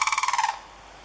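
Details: Pair of sandhill cranes bugling in front of a stand of bamboo: a brief, loud, rolling, pulsed trumpeting note with rich harmonics, about ten rapid beats in half a second. Then it cuts off to quiet background.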